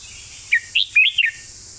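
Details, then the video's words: A red-whiskered bulbul sings a golden-phrasing master song phrase: four loud, slurred whistles, the later ones longer and swooping down at the end, over a faint steady hiss. "สำนวนทอง/วางเพลงชัดๆ/เพลงแม่บท #นกกรงหัวจุก"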